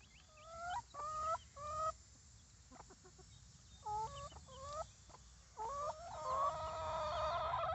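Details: Baby chicks outside the coop giving short, flat, harmonic calls in irregular bursts of two or three, ending in a longer steady note, with faint background chirping and low rumble.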